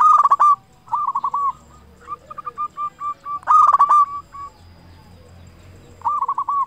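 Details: Loud-singing local zebra dove used as a lure for other zebra doves: strong rolling coo phrases alternate with a quicker string of short notes, the song returning in bursts every two to three seconds.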